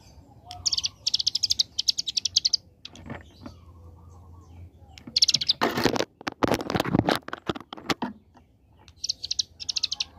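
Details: Bar-winged prinia, a young bird in lively 'ngebren' song: rapid high buzzy trill bursts open and close the recording, broken in the middle by loud broadband knocking and rustling noises.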